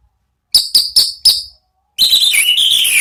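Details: Orange-headed thrush singing in ngeplong style to provoke other birds: four sharp, evenly spaced ringing notes, then a brief pause and a continuous rush of bright, varied warbled whistles.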